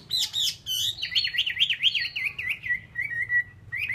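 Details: Chinese hwamei song: loud high whistled notes opening into a fast wavering trill of repeated slurred phrases that gradually drops in pitch and fades.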